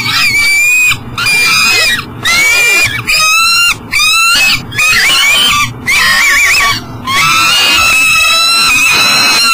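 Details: Peregrine falcon bringing breakfast, unable to get into the nest box at an energy recovery station in Elk River, Minnesota, 7 a.m. Repeated harsh, wavering harmonic wails of about one second each, separated by short silences.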